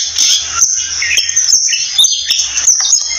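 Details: Oriental magpie-robin singing a varied run of clear whistled notes that slide up and down, with short pauses between phrases, over a constant high, hissing insect-like drone.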